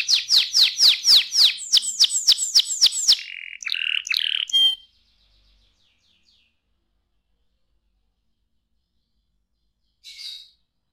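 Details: Canary singing a quick series of loud downslurred whistles, then shorter chirps and a brief rattle. After about five seconds it goes silent, with one short chirp near the end.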